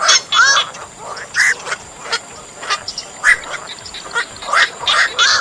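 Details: Night heron lure call for drawing birds into nets, heard as single harsh quacking squawks spaced about a second apart, each short and rasping, over a thin constant hiss.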